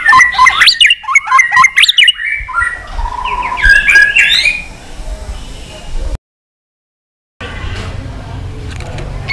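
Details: White-rumped shama in competitive song: fast varied whistled and jerky notes at first, softer warbling phrases after, then a sudden silence and low background noise.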